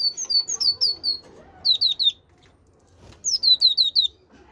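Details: Great tit in loud, clear song: rapid phrases of bright, high, two-part whistled notes, four to five per burst, repeated three times with short silent gaps between them.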